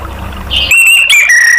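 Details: Orange-headed thrush song played as a therapy recording to prompt other caged birds to sing: after a soft, noisy start, clear, loud whistled notes held near steady pitch, one after another, with bright overtones.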